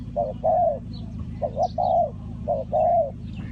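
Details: Spotted dove calling, used to lure wild doves into a trap: low hollow cooing phrases, each a short coo followed by a longer drawn-out coo, repeated three times about once a second, over a steady low hum.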